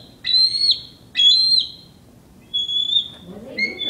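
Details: Bald eagle at a raptor center, heard indoors through a glass window: thin, high, squeaky whistled notes in short bursts, weaker than its size suggests but described as quite loud, with faint low room murmur behind.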